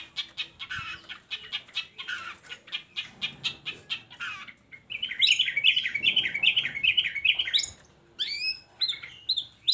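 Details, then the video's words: Long-tailed shrike singing, played to coax lazy shrikes into song: a steady series of dry clicking chips, then a rapid rolling trill, followed by sharp varied whistled notes. "Pancingan Buat Burung Cendet"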